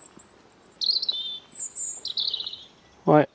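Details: A European Robin sings on a country path in the Combrailles near Pontgibaud, Auvergne, France: short, thin, high phrases that rise slightly and then trickle down, calm and a little melancholy, followed by a brief burst of human voice.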